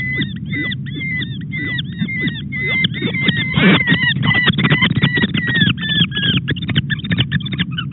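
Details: Young sooty falcon on the Red Sea coast of Arabia, wandering out of sight while still being fed breakfast at dawn on 20 September, giving rapid repeated harsh, nasal chittering calls several per second, growing faster and denser, steady low rumble beneath.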